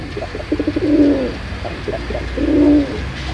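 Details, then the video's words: Two pigeon coo phrases, each starting with rapid stuttering low pulses and ending in a drawn-out, throbbing coo, over a faint background hum. "Suara burung merpati paling gacor"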